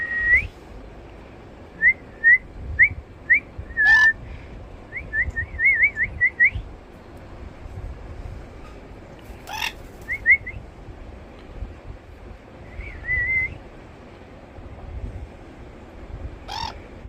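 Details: Sun conure (Aratinga solstitialis) giving short whistled chirps and rising-falling notes in quick bursts, with occasional sharp clicks.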